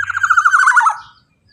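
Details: Black-naped oriole, loud and lively, used as a lure recording to prompt other birds to sing: a rapid run of nasal, slightly wavering notes that slides gently downward and fades after about one second, with a faint low hum beneath.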